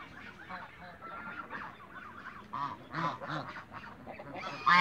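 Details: Subdued nasal honks and chattering from African geese, adults and youngsters, in a Greek farm backyard, building to a sharp loud call at the very end.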